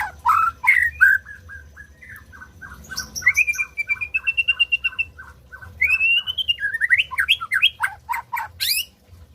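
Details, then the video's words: White-rumped shama singing to stimulate silent birds: loud whistles, then a long even series of short repeated notes, followed by higher drawn-out whistles and a rapid flourish of upsweeps. "SUARA MURAI BATU BUAT BURUNG MACET BUNYI"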